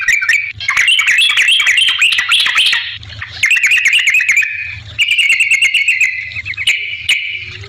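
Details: Yellow-vented bulbul, used as a lure to make other bulbuls respond, pours out fast bubbling, warbled trills in several runs, ending with a lighter chattering phrase and a sharp final note; a low hum is faintly audible.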